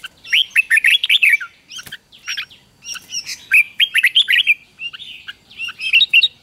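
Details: Red-whiskered bulbul fighting-style song, played to train newly caught birds: lively, rich whistled phrases in repeated quick bursts, each a tumbling string of rising and falling notes, with one sharp tap in between.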